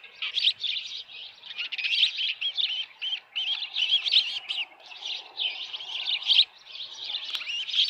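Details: At an osprey nest on Dunrovin Ranch, 10 June 2018, 6:41 PM, with a headless fish: steady, busy chirping of high whistled notes in overlapping bursts, with a faint click.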